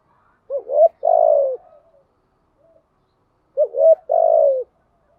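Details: Spotted dove lure call of the thúc gù kind, meant to excite decoy doves. Two paired bursts, each a quick wavering double coo running into a longer falling coo, separated by about two seconds of silence.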